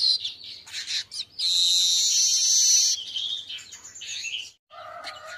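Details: Midday song of an Asian golden weaver, kept for training other birds: scratchy chattering notes swell into a long, harsh, sizzling wheeze lasting about a second and a half, then fading chatter and a lower note.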